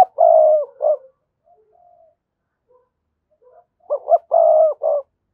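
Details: Decoy cooing of a spotted dove, played to prompt newly caught doves to call: a long mellow coo and a short note, soft faint sounds, then a full phrase of two quick notes, a drawn-out coo and a clipped ending.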